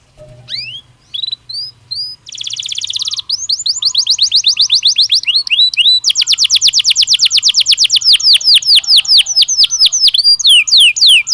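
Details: Belgian canary singing naturally with sharp rising whistled notes, a brief buzzy roll, then long rapid trills of repeated upswept notes that run on for several seconds, loud and clear over a faint low hum.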